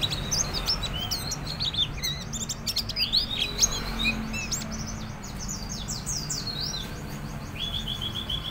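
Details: Lively captive white-eye whose song serves as a lure to start other birds singing: loose, irregular high chirps and short twittered phrases spread throughout, with steady low rumbling noise beneath.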